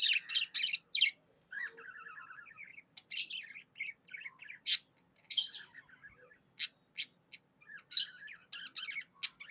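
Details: A contented budgie chatters in fast clusters of bright chirps, with a short buzzy rattling phrase early on, then sharp clicks and squeaky whistles separated by short gaps.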